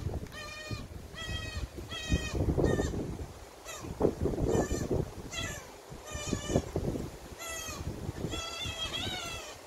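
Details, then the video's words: Young common cuckoo raised by a magpie, begging loudly for feeding: harsh, harmonic screeching notes in repeated bursts with short gaps, some wavering upward, against low-pitched rustling and background noise. "cuckoo bird parasite screaming for magpie mama's feeding"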